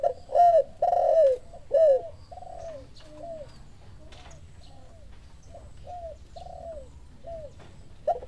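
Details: Spotted dove (tekukur) answering a lure call: a loud opening phrase of three rich coos, then a long series of softer, evenly spaced falling coos from a farther bird.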